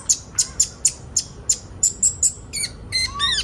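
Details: Sunbirds (kolibri ninja) recorded as group training material for young birds. A fast run of sharp high chirps gives way to buzzy, squeaky calls that have downward-curving overtones.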